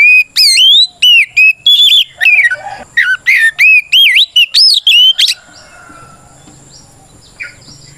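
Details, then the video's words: Oriental magpie-robin (kacer) delivering a provoking fighting song to goad other birds; long fast series of clear whistled notes, some rising, some swooping down, ending abruptly into quiet. "Suara Burung kacer gacor NGEPLONG tarung ini paling ampuh buat PANCINGAN KACER agar EMOSI Nyaut"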